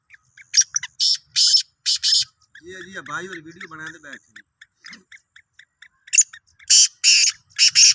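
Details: Black francolin of the Sindhi kind, recorded 16 March 2023, giving loud grating bursts in short clusters; a man's voice talks briefly between the call series.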